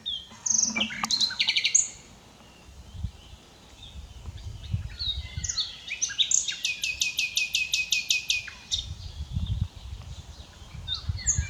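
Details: Common nightingale singing, unedited: sharp clicking notes and sweeps, then a long fast series of loud repeated pulses around the middle, followed by scattered whistles over low background rumble.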